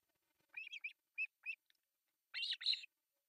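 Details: Three osprey chicks being fed breakfast at an artificial nest in Pohjois Satakunta, Finland, July 1, 2024: short high chirps in quick groups, a few single squeaks, then a dense chattering burst.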